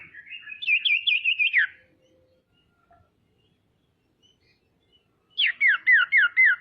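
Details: Female common iora in full voice, used to provoke rival ioras: a warbling trilled phrase ending in a downward slide, a pause, then a crisp series of five quick falling notes.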